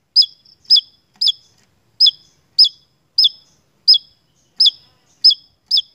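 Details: Javan tesia in energetic song for bird-keeper lure use: ten bright, abrupt, downward-bending chirps at an uneven pace of roughly two per second, ringing clearly over silence.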